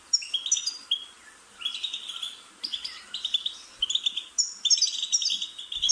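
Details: Goldfinch song for stimulating a pet bird to sing: phrases of rapid twittering and metallic trills broken by short pauses, bright and high-pitched throughout.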